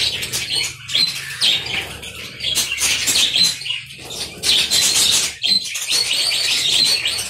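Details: Colony of budgerigars kept in an aviary, a busy mix of chirps and warbles with bursts of broadband rustling, likely wing flaps, and brief quieter gaps.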